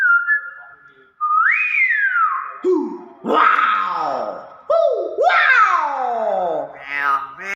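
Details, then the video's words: Common hill myna in a run of varied sounds: a rising then falling whistle, followed by harsh, rich, wailing notes that drop in pitch, some sounding almost voice-like, ending with a buzzy fragment. "BEO SUARA ASLI"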